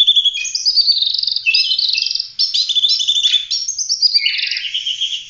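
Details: Oriental magpie-robin in an active 'full roll tembak' song style, used for training other songbirds. A continuous stream of varied whistled and chirping phrases, rising and falling, with dense rapid notes and no pauses.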